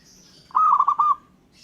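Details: One warbled coo phrase from a local zebra dove: a steady run of soft pulsed notes lasting under a second. Faint high bird calls sound before and after.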